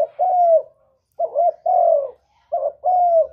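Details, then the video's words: Spotted dove song for luring other doves: three rapid paired coos, each a short wavering note and a drawn-out falling note, about a second apart. "Burung derkuku master gacor kuk 1 suara mantap untuk pancingan"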